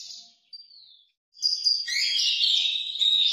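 An orange-headed thrush gives a high whistled note that slides downward, then bursts into a fast, dense, rich warbling phrase. No other sounds stand out.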